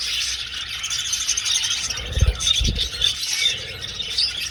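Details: Budgerigars in an old aviary, flying about: a dense, continuous chatter of high squeaky warbles and chirps from many birds, with a couple of low thumps near the middle.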